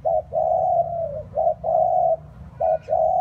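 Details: Close spotted dove calling on a rainy, windy day. Hollow, low coos alternate: a short note, then a long sustained one, three times in quick succession. Faint low background rumble.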